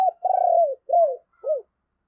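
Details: Spotted dove used as a decoy, singing in the deep 'thunder voice' style to draw in wild doves: one long vibrating coo followed by two shorter down-slurred coos, clean with no other sounds.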